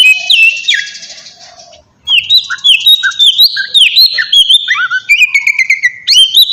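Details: Lure recording of oriental magpie-robin song meant to draw replies from other birds, opening with a buzzy trill and fading, then a brief pause before bright whistled phrases and quick chirps resume in a rich, varied sequence.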